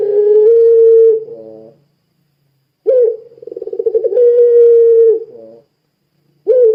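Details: Puter pelung dove in a lively 'gacor' cooing bout, used to prompt other doves to sing: long, level, hollow coos, each ending in a quick rolling tremolo, repeated with short silent gaps.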